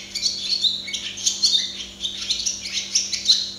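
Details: Barn swallow (Hirundo rustica) singing at close range, a continuous run of fast high twitters and squeaky chirps with little pause.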